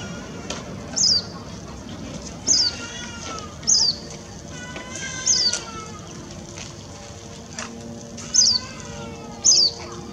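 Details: Eurasian tree sparrow (Passer montanus), recorded 7 December 2017: six sharp, high, slightly falling chirps spaced a second or more apart, over faint wavering background tones and distant voices.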